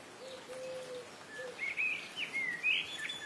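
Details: Streak-throated swallows at a nesting colony congregation at a canal of the Sukkur Barrage irrigation system in Sindh, Pakistan, give short, high, chirping twitters in quick bursts, about one a second, after a couple of soft, low, drawn-out whistles.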